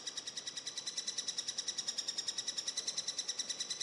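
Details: Young Eurasian three-toed woodpeckers at feeding time give insistent high-pitched begging notes, a regular stream of clear chirps repeated over three times per second, growing slightly louder partway through.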